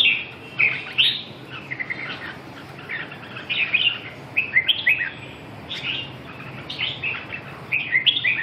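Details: Red-whiskered bulbul giving repeated short, bubbly warbled phrases about a second apart, varied in pitch, against background hiss.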